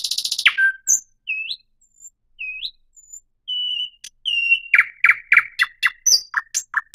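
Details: Thrush nightingale song opening with a rapid buzzy rattle, followed by spaced pure whistles, some rising and hooked, then a fast series of sharp, repeated chipping notes accelerating toward the end.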